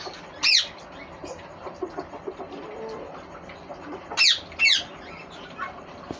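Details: Pet green ringneck parrot giving sharp, shrill, descending screeches: one early, then a quick pair about four seconds later, with faint rustling and low background noise in between.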